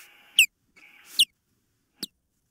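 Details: Osprey calling at the nest, recorded by a nest camera on 19 April 2024 around 21:13; two loud, piercing downslurred whistles in quick succession, then a fainter third, with a low camera hum between them.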